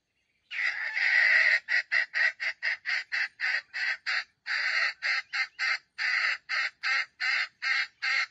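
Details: Caged bait bird of a red junglefowl trap giving a stuttering crow that sounds like grinding: a long rasping burst, then about twenty short harsh bursts at a steady rhythm, roughly three each second.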